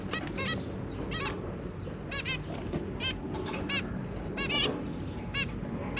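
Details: Three young zebra finches with their parents, recorded 23 January 2022, calling steadily with clipped nasal beeps, some paired, spaced roughly every half second over a low droning background.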